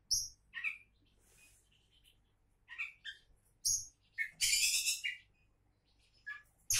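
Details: Song of an Oriental magpie-robin (kacer) billed as a future champion: scattered sharp whistles and short slurred notes, then a long loud rasping buzzy phrase, with a low background hum.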